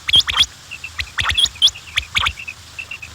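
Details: High, hooked quail chirps and soft, lower peeps, with sharp clicking or tapping sounds in between, quick and irregular.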